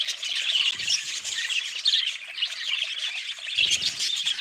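Budgerigars keep up a steady, high chirruping chatter of quick warbled squeaks and chirps, with a few soft low thumps underneath.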